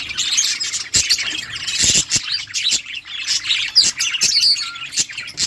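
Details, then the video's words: Budgerigar flock chattering together in a colony, a thick wall of warbled chirps and squawky notes with brief sharp clicks and rustles between bursts. "Beautiful budgies birds flocks in budgies colony budgies parrot chirping sounds"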